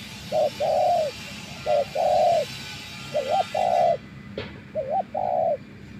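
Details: Decoy spotted dove, tamed after days in the wild, cooing in paired phrases: brief notes, then longer smooth hooted coos, repeated at an uneven pace, with a sharp click near the end.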